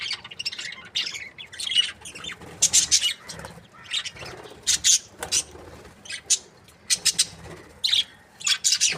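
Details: A budgerigar breeding pair chirps in repeated short, sharp, high bursts separated by brief gaps. Squawky chatter comes roughly every half second to second.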